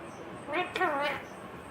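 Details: Green Indian ringneck parrot talking: a short, speech-like phrase of two or three harmonic syllables with a falling then wavering tone, over a quiet room background.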